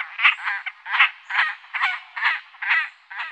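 Great crested grebe giving a series of harsh, rasping, croaking notes, about eight in three seconds at an uneven pace, with no other sounds.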